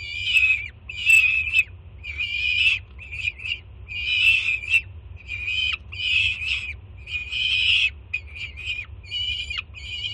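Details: Jersey City juvenile peregrine falcon screaming with excitement at its arriving mother carrying food, June 2017: a rapid, insistent run of hoarse, nasal shrieks of varying length, some clipped, others drawn out and falling, background hum.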